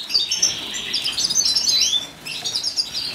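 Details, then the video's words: Wild Atlantic canary (Serinus canaria) recorded in 2015 singing a fast, continuous jumble of high, bright twittering notes and trills, pausing briefly before resuming. "Wild Canary"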